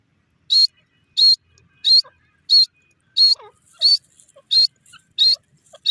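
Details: Grey francolin (teetar) calling: loud, regularly repeated high notes, nine calls in six seconds at about 1.5 per second, each a short harsh burst with a whistled core; faint softer chirps between calls.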